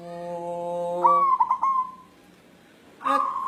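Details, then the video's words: Single white zebra dove of local wild stock calling for a mate, its soft whistled coo opening on a long note and dissolving into quick trilled hiccups, after a steady humming tone and before another brief sound. "Perkutut putih galau mencari jodoh"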